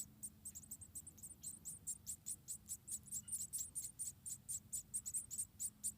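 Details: About four white-headed munia chicks in a nest being fed one by one by their mother: a rapid, continuous stream of thin, very high squeaky chirps, several per second, with a low steady hum beneath.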